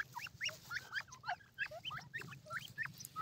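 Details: Grey francolins uttering busy, overlapping chirping notes that sweep up and down, several a second, forming a lively squeaky chatter over faint low hum.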